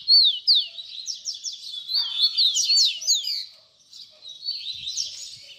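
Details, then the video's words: 'Baderna' song of a double-collared seedeater, used as a teaching song for young birds: rapid high chirps and quick downslurred whistles in a dense burst, then a short pause and softer twittering. "Baderna de Coleiro Cantos Fibra"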